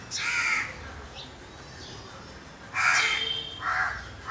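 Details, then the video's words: Crow giving loud rasping caws, one near the start and a pair close together after a pause, with quiet outdoor background between them. "Crow bird sounds or noises."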